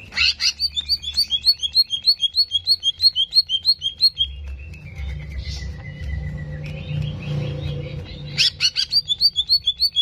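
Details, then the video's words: Greater green leafbird song used to provoke aggression in a competition bird: rapid repeated whistled notes around five per second, a pause with a long level whistle, then the fast series returns; low hum underneath. "PANCINGAN CEPAT MENAIKAN EMOSI CUCAK IJO"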